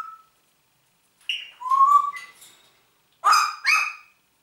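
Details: Talking Congo grey parrot, kept as a pet and known for a German "Guten Morgen" greeting; a short whistle, then a warbling whistled phrase and two loud harsh speech-like syllables near the end.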